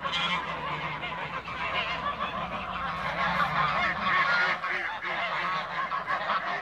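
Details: Backyard Toulouse geese calling as a group: raspy, nasal honks come about three per second in an uneven stream, many birds overlapping into a constant noisy din.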